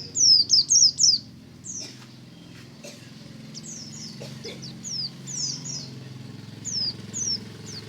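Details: Morning white-eye (pleci buxtomi) ngalas: a loud opening burst of quick, high falling chirps, then softer, scattered downslurred notes over a rumbling low background and a few clicks.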